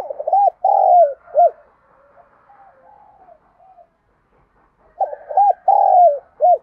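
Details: Spotted dove calling to lure other doves, giving two phrases of quick rising-falling coos with a longer drawn-out hoarse coo and a final short note, separated by a quiet gap with faint murmurs.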